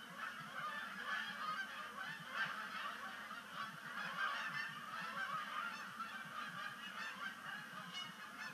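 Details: Canada geese in a large flock honking constantly during the first sunset splashdown of the season at Sapsucker Woods Pond as migration begins, 5 October 2019; many overlapping nasal honks rise and fall over a low rumbling background.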